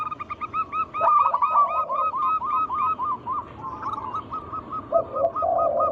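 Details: Local zebra doves singing as a lure recording to set off other doves. Dense overlapping trains of quick cooing notes run on, with a low purring coo near the end.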